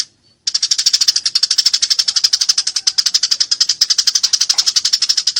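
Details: Eurasian tree sparrow described as fighting and loud: after a brief quiet start, a sustained, rapid run of harsh high chirps, roughly four each second, steady and unbroken to the end.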